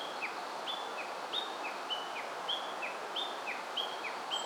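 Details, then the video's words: Japanese leaf warbler, wild, at Oze, Japan, in mid-August toward evening, approaching people as it grew less wary: a quiet high whistle paired with a dropping slurred note, the phrase repeated steadily with slight variation against constant broadband background noise. "メボソムシクイ 鳴き声"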